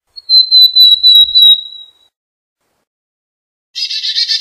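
Black-capped chickadee gives a long, clear, high whistled note that falls slightly, then after a pause a rapid burst of harsh, buzzy dee notes.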